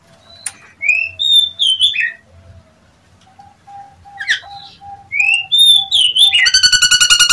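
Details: Nias hill myna lure call, used to provoke other mynas into answering: clear whistled notes and rising slurs, a steady low repeated note in the middle, ending in a rapid harsh buzzy rattle.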